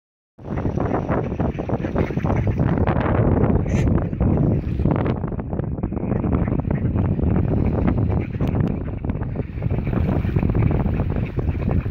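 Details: Steady wind rumble and low water or boat noise fill the recording, with no clear animal calls.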